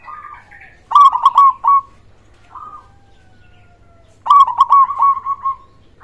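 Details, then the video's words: Loud-voiced local zebra dove, played to rouse quiet doves to sing: two bursts of rapid, stuttering, rolling coos with sharp clicking onsets, separated by softer, drawn-out single coos and near-silence. "Perkutut lokal gacor suara besar"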